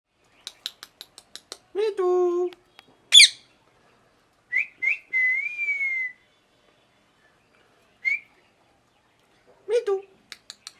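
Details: Parrot vocalising in a quiet setting: a series of dry clicks, a harsh nasal squawk, a sharp high note, then clear whistled notes ending in a long wavering whistle, with another short whistle and squawk later.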